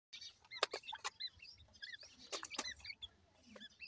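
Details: Francolin chicks, locally called dakhni teetar, from Punjab, Pakistan, giving thin high peeps, short rising and falling chirps in quick irregular runs, mixed with sharp clicking and tapping noises.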